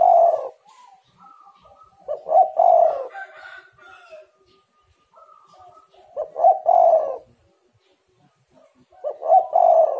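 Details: Spotted dove giving repeated low cooing phrases, used to prompt silent rival doves to call; four hollow three-part coos arrive every two to four seconds, each ending in a long drawn note, with soft quiet notes between.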